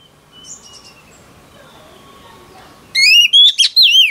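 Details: Newly caught female oriental magpie-robin singing to stir males: faint distant whistles and low background hum, then a sudden loud series of clear, wavering whistled notes near the end.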